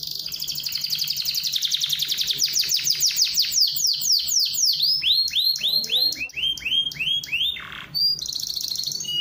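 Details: Canary song played to coax other canaries into singing: a fast buzzy high trill that shifts into rapid descending sweeps, then slower arched whistled notes, a brief lower slurred note and a renewed high trill.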